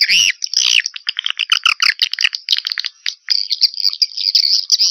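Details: Swiftlet lure call from 2021, meant to draw swiftlets to a swiftlet house: dense high twittering chirps and rapid buzzy trills, overlapping voices with short gaps, steady high-pitched ringing throughout.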